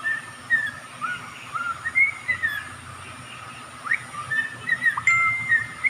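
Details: Caged songbird kept as a pet in the Philippines, singing a series of short whistled notes, some rising, some falling, around two per second with uneven spacing, over a steady background hum.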